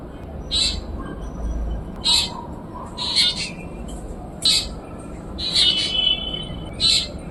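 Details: Black drongo calling: six short, harsh, scratchy bursts spaced about a second apart, each sitting high and spreading upward, over a steady hiss of background noise.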